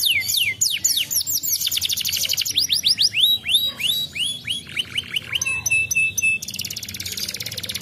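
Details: Canary song used as a lure to get other canaries to reply, opening with quick falling whistles, then rippling trills of rising and falling notes, closing on a sustained buzzy high trill.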